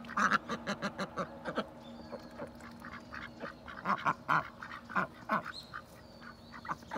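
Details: Domestic ducks quacking almost nonstop, overlapping bursts of short nasal calls in rapid uneven runs, some loud and rasping, with faint high bird notes in the background.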